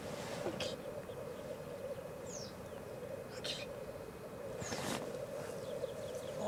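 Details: At a black grouse lek in Elverum, 2008, with 38 males: a continuous low bubbling chorus, punctuated by two hissing bursts and by thin, slurred high whistles.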